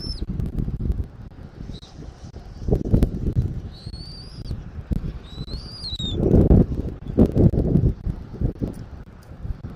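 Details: Eagle recorded at a Southwest Florida nest by a fixed camera on 13 January 2024 at 14:17; sparse thin rising whistles in the middle, surrounded by loud gusty rumble and rustling bursts.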